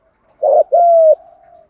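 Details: Spotted dove, thúc gù voice meant to rouse decoy birds: one double coo, a short husky note then a longer clear hoot sliding slightly downward, trailing off into a faint murmur.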